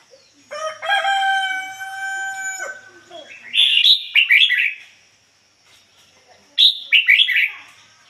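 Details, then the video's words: Decoy red-whiskered bulbul in ngoi bổi song: a steady harmonic tone lasts about two seconds, then two loud bursts of quick, bubbling whistled notes roughly three seconds apart. "chim chào mào mồi hót ngoi bổi giọng chuẩn ko lấn tạp ôm"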